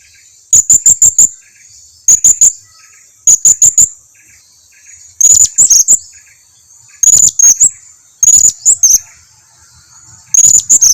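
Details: Blue-crowned hanging parrot calling as a lure for other birds to answer: shrill, high, sharp notes in quick groups of four, repeated about every 1.5 seconds, then longer doubled notes, all loud and close.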